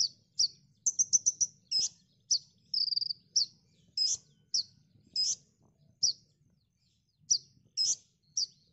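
Konin song of very high, sharp chips and short rapid trills, given in bursts about every half second, clear over faint low rumble.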